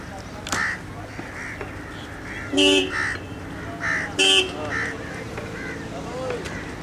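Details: Peacock calling: two loud, brief, harsh honking cries rich in overtones, about a second and a half apart, over a steady noisy background with softer scattered calls.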